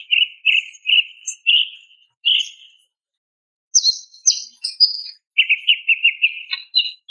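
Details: Female greater green leafbird calling a male, a rapid run of short chirping notes repeated about twice a second, a pause, then higher sharp notes and a fast chattering series to finish, clean and without background noise.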